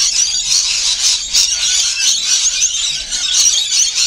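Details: Feeding rainbow lorikeets fill the air with nonstop high, harsh screeching and chatter, many birds calling at once in a steady, pulsing din.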